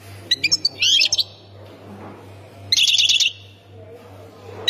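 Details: European goldfinch from Khemis Miliana, Ain Defla province, Algeria: two short bursts of rapid, tinkling high chirps and twitters separated by a pause, with low hum beneath.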